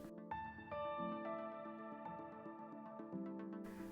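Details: Soft ambient synthesizer music with sustained harmonic tones and gentle note changes; no animal sound is heard.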